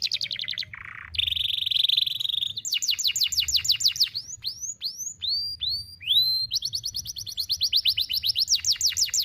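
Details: Canary singing a long, sharp one-breath song for training young birds: quick chips, a low buzzy note, a steady whistle, fast sweeping trills, spaced rising whistles, then another rapid repeated phrase.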